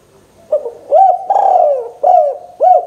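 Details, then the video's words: Local spotted dove giving an excited 'gacor emosi' call meant to spur another dove into calling quickly; a sequence of mellow, low hooting coos, one long drawn-out note in the middle, each phrase starting with a short rising hoot. "Suara Burung Derkuku Gacor , Rangsang burung Tekukur agar CEPAT bunyi | Tekukur Lokal gacor emosi"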